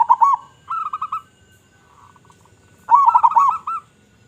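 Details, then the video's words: Local zebra dove, used to draw other zebra doves, giving warbling coos: a short burbling phrase, a run of clipped coos, a soft pause, then a louder rolling phrase. "Perkutut Lokal Gacor Suara Besar Suara Paling di Sukai Burung Perkutut apa Saja"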